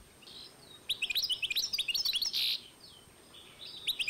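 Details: Goldfinch-canary hybrid recorded in 2012, delivering a fast sequence of high twittering notes capped by a harsh buzz, then a quieter pause and a new phrase starting.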